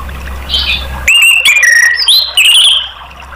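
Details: Orange-headed thrush song for prompting caged birds to sing: a faint note, then a loud string of clear whistled slurs, a falling whistle and buzzy rising notes lasting about two seconds.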